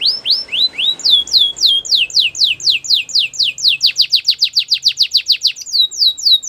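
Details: A canary sings Belgian canary song, an unbroken series of sweeping slurred whistles repeated about four times a second with very even rhythm.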